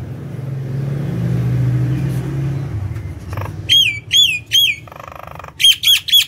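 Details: Nias hill myna singing energetically, used to lure other birds at home: a low rumbling vehicle drone fills the first half, followed by a series of clear, ringing, slightly falling whistles and a few harsh notes.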